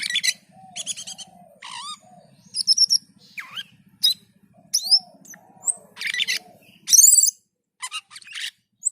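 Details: Black-and-white bulbul, or cucak keling, in lively song: a rich mix of slurred whistles, rising sweeps, harsh chatters and a loud scratchy burst near the end, over a constant low electrical hum.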